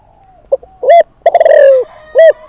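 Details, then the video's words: A single decoy spotted dove phrase meant to provoke males: a soft clipped note, a full coo, a quick stuttering roll falling in pitch, then a last clear coo. "Cu Gáy Mồi Thúc || Gáy Gọi Kích Bổi Mới Nhất"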